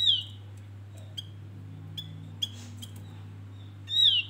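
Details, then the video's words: Bait song of a male Javan grey-throated white-eye: sharp descending high whistles open and close the passage, with soft repeated whistles and light clicks between, and a low steady hum underneath. "Opior Jawa pancingan"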